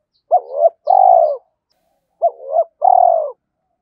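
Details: Decoy spotted dove, trained daily in Vietnam, cooing to provoke wild males to fight. Two identical phrases about two seconds apart, each a short two-part note followed by a fuller, falling coo, against silence.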